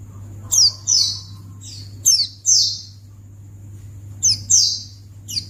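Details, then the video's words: Series of high, sharp white-eye calls played to draw a quick reply from other white-eyes, given in paired bursts of short descending whistled notes with pauses between pairs; a constant low hum runs beneath. "Pleci Akan Langsung Merespon Memancing Bunyi Burung Pleci"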